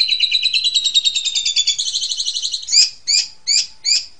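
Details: Asian pied starling master song for tutoring juveniles: a rapid pulsing buzzy trill, followed by four separate short, harsh downslurred notes.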